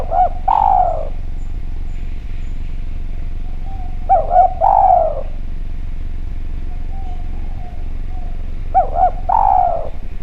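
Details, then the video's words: Spotted dove, Javan form, calling clearly as a lure sound. Three short phrases come about four seconds apart, each a quick double coo followed by a longer, sliding, throaty note, with steady low hum between. "Derkuku Djawa Gacor Suara Bening, Spesial Suara Pancingan"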